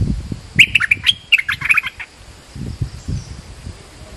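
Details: Bulbul lure sound for attracting birds, nok dok taeng in Thai: a quick burst of bright, jumbled chirps lasting about a second and a half, with low rumbling and knocking noises around it.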